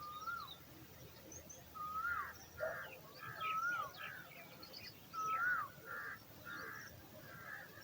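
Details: Nestling eagle waiting to be fed alternates clear, downslurred whistles with harsh rasping notes, roughly every one to two seconds, amid soft background chatter and low hum.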